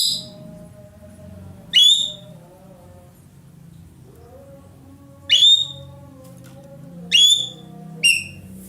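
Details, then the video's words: Roller, a loud-voiced bird used in Indonesia as a tutor for songbirds: scattered sharp rising whistles, about five in all with a long pause, over steady low humming and droning background sounds. "burung ekek Keling gacor nembak"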